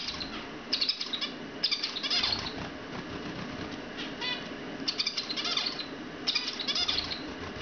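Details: Several two-month-old zebra finches sing in overlapping bursts of nasal, buzzy notes and soft chatter, with bursts recurring every second or two.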